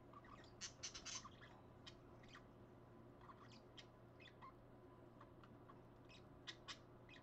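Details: Two parakeets at 5:20 in the early morning on Friday, 30 January 2015, giving scattered short, sharp high chirps, some in quick pairs, over a steady low electrical hum.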